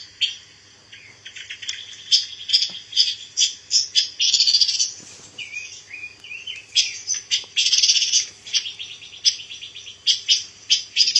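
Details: Pancawarna bird, a songbird found in some regions and kept to fill the repertoire of white-rumped shamas. Lively, dense song of rapid high chirps, twittered runs and short warbled phrases, almost unbroken, with a faint low hum beneath.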